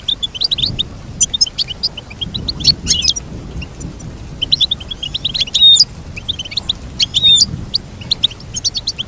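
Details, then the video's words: Goldfinch singing, played to help a goldfinch learn its song: long twittering sequences of high chirps with sharp buzzy flourishes and a few brief louder bursts. "Teach your goldfinch to sing beautiful motivational songs"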